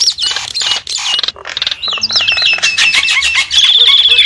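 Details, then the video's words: Javan myna lure call for attracting wild birds: loud harsh chatter and squawks, then a run of falling whistles and a steady high trilled note at the end. "suara pikat burung jalak kebo"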